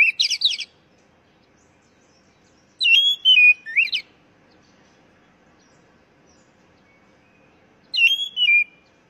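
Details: Oriental magpie-robin song used as a lure to stimulate caged birds to sing: three bursts of rich, varied whistles and fast twittering notes, each about a second long and separated by several seconds of quiet.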